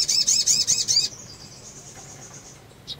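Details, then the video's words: Female sunbird in breeding condition calling to stimulate males: a rapid, high, buzzy trill of looping notes lasting about a second, followed by a faint thin tone and one short chip near the end. "PANGGILAN SOGON BETINA BIRAHI MERANGSANG SOGON JANTAN CEPAT BUNYI"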